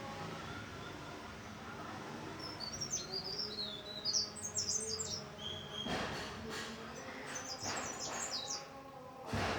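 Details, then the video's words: High, sweet twittering phrases from a mountain leaf warbler, quick downslurred notes in clusters, against a low hum with a few louder bumps and knocks toward the end. "Suara merdu burung cikrak daun super gacor"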